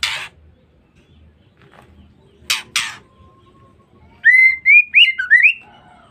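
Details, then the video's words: After near silence and a few harsh clicks, a female white-rumped shama gives a short ngeriwik phrase of five or six rising whistled notes. The call is used to lure or provoke males. "Pancingan Suara Murai Batu Betina"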